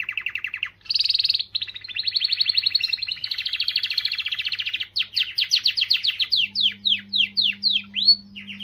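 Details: Singing canary used to encourage females: varied trilled tours, a bright high burst, a long rolling trill, then a series of sharp descending whistled sweeps, with a faint low hum.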